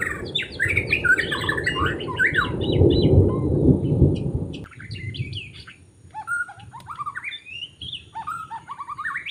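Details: Forest white-rumped shama recorded during bird trapping, singing varied whistled phrases, partly masked by loud, low rumbling noise that stops halfway, leaving clearer song.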